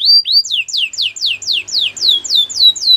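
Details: Canary song used for training other canaries: a high, fast trill of downward-sweeping whistled notes, about four per second, each slightly lower and smoother toward the end, with no other sounds.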